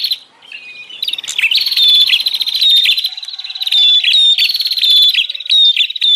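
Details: Bar-winged prinia lure sound in the rowdy 'ribut' style for luring wild birds: after a soft start, a continuous run of loud, grating, fast-trilled chatter punctuated by thin high ticks.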